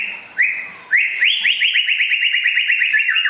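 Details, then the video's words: White-rumped shama, a rare bird from West Aceh known as a constant singer: two clear whistles, then a fast run of repeated upward-flicking notes in a steady rattling series. "Kicau Burung Murai Asal Aceh Barat Langka Gacor Jos"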